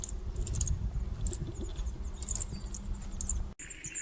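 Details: A superb fairywren from Australia gives its ultra-fast, high-pitched song, likened to a laser or sci-fi sound effect: very high, rapid trilling bursts every second or so over a steady low rumble.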